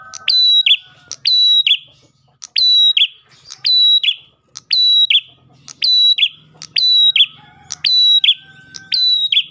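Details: Ash tailorbird singing, used as a lure for other tailorbirds: a loud phrase repeated about once a second, each a sharp tick, a level high whistle and a lower slurred note, about ten times, with faint low humming behind.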